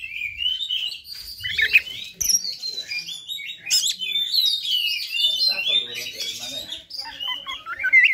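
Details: Fighter song of an Oriental magpie-robin, intended to trigger other magpie-robins; a long continuous flow of varied whistles, trills and mimicked phrases, with brief knocking sounds near the start and middle.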